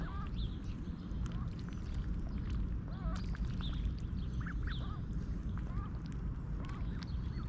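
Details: Six wild mallards, a mother and nearly grown young, at a pond in Tallinn's Old Town, Estonia, 6:30 AM, mid-July 2021, being fed oats; repeated short quacks and chatter, some overlapping, beneath a loud steady water rush.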